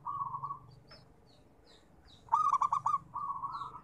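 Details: Singing zebra dove of local type: a smooth cooing phrase, a pause, then a loud burst of fast pulsed, stuttering notes flowing into a steady coo, faint chirps of other birds above.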